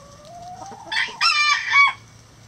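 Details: A rooster in a chicken coop crows loudly and close: a quiet rising note, then a harsh, strained crow of three joined syllables over about a second, the last held and falling away.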